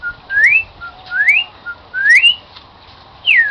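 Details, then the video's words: Cockatiel kept as a pet whistles its "Song of the Garden" tune: short level notes, each followed by a bright upward-sweeping whistle, repeated three times. A final note slides downward, and the room is quiet. "the cockateil bird that sing "Song of the Garden""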